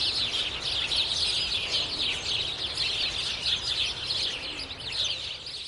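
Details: Many sparrows calling together on a street in spring, bright overlapping chirps forming a constant twittering wash that eases slightly toward the end, with quiet low street rumble underneath.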